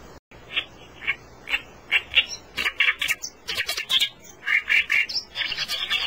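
Oriental reed warbler singing a loud, harsh, chattering song of grating, croaky notes, several a second, broken by brief pauses.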